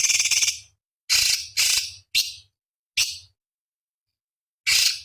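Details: Cucak cungkok, a small bird, in a master recording for training competition songbirds: short harsh buzzy bursts, high and noisy, in irregular groups separated by silences, with a faint low hum underneath.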